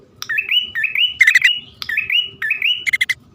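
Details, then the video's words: Bar-winged prinia male and female calling for luring birds: paired rising whistled chirps repeated roughly every half second, interrupted by two short harsh rattling bursts, low rumble underneath. "suara pikat prenjak poci/hutan jantan dan betina memanggil jitu"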